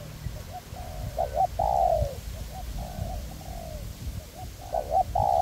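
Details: Cooing of spotted dove decoys, a raised decoy and a ground decoy cooperating in a forest to attract a wild dove for trapping. Short double coos lead into strong falling rolled notes, twice over, with wind rumble behind.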